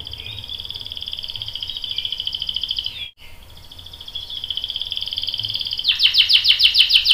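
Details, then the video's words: Canary roll meant to coax a male into singing: a long, even buzzing trill held for several seconds with a brief break, then a switch to loud repeated chirps, roughly four each second. "PANCINGAN KENARI GACOR cuit cuit bikin NYAUT ikutan BUNYI Ngerol panjang | CANARY SINGING"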